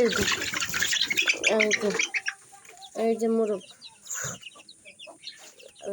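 Fayoumi hens give harsh, drawn-out squawking calls in a few bursts, each under a second. Scratchy rustling and faint voices sound in the background.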